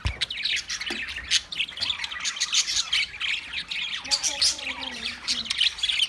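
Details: Budgerigars in a busy group, giving dense overlapping chirps, squeaky warbles and short harsh squawks almost without pause, with a few lower, smoother tones near the end.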